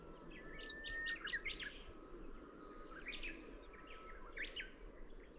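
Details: Middendorff's grasshopper warbler song in short phrases of sharp, chirping notes that climb in pitch. A long phrase comes first, then two shorter ones after pauses, over a constant low background hum.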